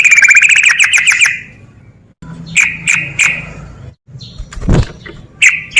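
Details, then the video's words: Yellow-vented bulbul in 'ropel' style, a lure for lazy birds to sing: a fast burst of sharp, harmonic-rich chips in a rattling run, then spaced single bright notes separated by abrupt silent cuts. "SUARA TRUCUK GACOR EMOSI TINGGI PANCINGAN TRUCUKAN MALAS ROPEL"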